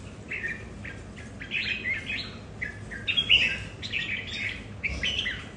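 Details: Caged red-whiskered bulbuls at home sing against each other in a territorial contest, giving clipped, chirpy phrases roughly every second, some louder and more ringing, with a steady low hum behind them.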